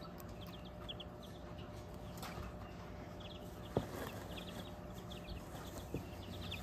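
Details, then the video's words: Bantam baby chicks on a hobby farm peep steadily, several high, short cheeps overlapping every fraction of a second, over a low hum with a couple of soft knocks. "Bantam baby chicks"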